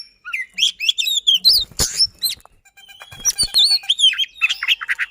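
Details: Oriental magpie-robin known locally as kacer, used as a lure for silent magpie-robins, gives quick whistled slurs and rapid chips, broken by a loud click and a brief lull before the dense phrases resume.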